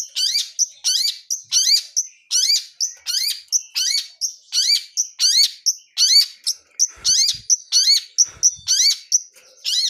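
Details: Long-tailed shrike of blangkon type, wild bird, singing full fills: loud sharp chirp phrases repeated steadily, about one and a half per second, each followed by a short thin whistle.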